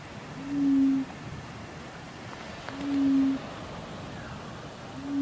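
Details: Laughing Dove (Laughing Turtle Dove) in Western Australia giving soft, low, hollow coos, each drawn out about half a second and repeated every two to three seconds over faint background hiss.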